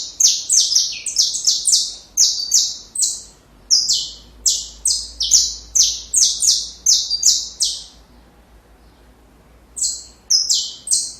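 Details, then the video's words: Saffron finch song, used for training young birds: a long fast run of buzzy, falling notes, about two per second, then a two-second silence before a few more notes resume. "Canário da Terra Canto Perfeito Para filhotes"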